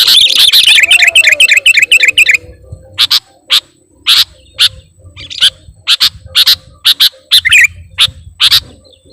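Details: Sooty-headed bulbul luring sound: a fast chattering run opens, followed by spaced sharp chirps and occasional bubbly phrases, roughly two per second, over a faint low hum.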